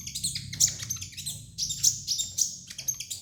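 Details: Kolibri ninja sunbird song used as training material: dense, high scratchy twittering with sharp accented chips roughly every half second, over a noticeable low background rumble.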